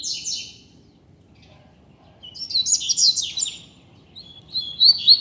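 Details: Double-collared seedeater singing freely in a street as a teacher bird: a high burst of chattering notes, a pause of about two seconds, then a longer run of sweeping, warbled whistles.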